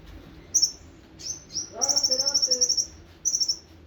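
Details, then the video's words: Sunbird, described as a konin, singing in a steady line: high thin notes near the top of hearing, a short opening chirp, then a fast even trill of about a dozen rapid pulses, and a final brief trilled burst. "konin nembak sejalur"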